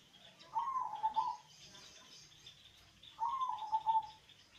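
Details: Local zebra dove with a good, deep-voiced song, used to prompt lazy doves to sing. Two soft, low cooing phrases, each a brief rising note then a wavering trill, about three seconds apart.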